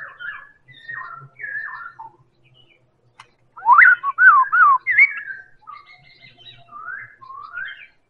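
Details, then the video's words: Medan-type white-rumped shama singing as a lure for other birds: soft slurred whistles, then a loud run of looping, wavering whistled notes, followed by gentler rising whistles. "Real Pancingan Murai Batu Medan Super"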